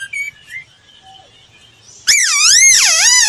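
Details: Laughingthrush training song: faint thin whistles at first, then after two seconds a loud, rich warbling whistle rising and falling in smooth waves.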